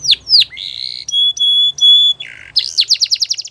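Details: Canary song with down-swept whistles, held pure whistled notes repeated three times, a low buzzy phrase, then a fast high chirping trill.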